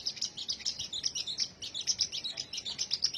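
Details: High, sweet twittering from a sunbird: quick chirps repeated several times per second, steady and bright throughout.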